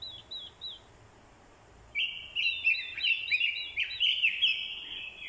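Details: Orange-headed thrush decoy provoked to fighting song by a female's call: a few soft squeaky notes, a pause, then a loud, fast stream of rich warbled and whistled phrases, jumbled and sustained to the end.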